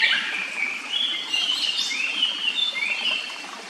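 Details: Japanese paradise flycatcher in a quiet forest by a clear stream, close to its nest, giving sliding whistled notes that swoop up and down and overlap in a busy phrase, with steady stream hiss underneath.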